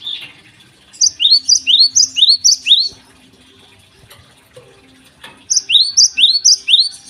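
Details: Java sparrow's morning song, used as a lure for untrained birds: two bursts of rhythmic couplets, a rising note then a higher chip, repeated about twice a second, separated by a few seconds of quiet.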